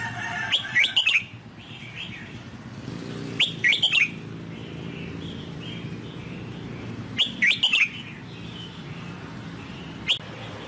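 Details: Red-whiskered bulbul song in the Sông Kon style, used to train a newly bought wild-caught bird: three short bursts of bright, warbled whistles about every three seconds, then a lone note near the end, over a low steady hum.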